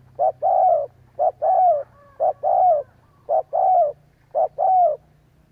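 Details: Spotted dove cooing played as a lure to get doves calling. Five quick phrases come in a steady rhythm about a second apart, each a pair of clipped notes and then a longer, downward-sliding coo. A faint low hum runs beneath.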